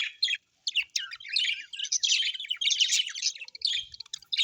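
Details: Cheerful parakeets chirp in bursts of bright, buzzy chatter that swell into a continuous warble after a short silence near the start.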